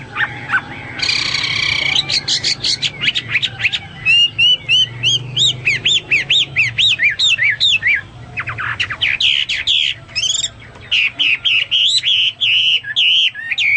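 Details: ['Long, vigorous Hwamei song: a short harsh burst, then rapid chains of clear whistled notes, dense trills and scratchy phrases with brief gaps, varying constantly, over a light low background hum.']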